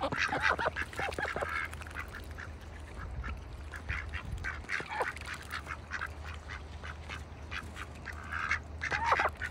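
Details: Several farm ducks in a bucket in wintertime, quacking in clustered bursts of short nasal calls with brief pauses between, a faint low hum beneath.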